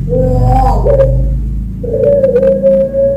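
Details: Central Javanese champion puter pelung dove, a Barbary dove bred for long cooing, sung to prompt and train other birds: rough gurgle followed by a sustained clear coo, with steady low hum underneath.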